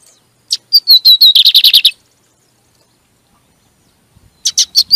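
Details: Lined seedeater song played to stimulate and fire up kept birds: a loud phrase of clear whistled notes running into a fast buzzy series of repeated chirps, then a second phrase beginning after a pause of two seconds.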